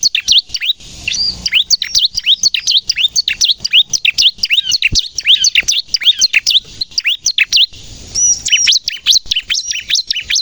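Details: Continuous bright chirping of a Bar-winged prinia in 'nembak' style, used to attract birds and get novice captive prinias singing: fast, high notes that often sweep downward, running almost without pause, with a clear arched whistle near the end.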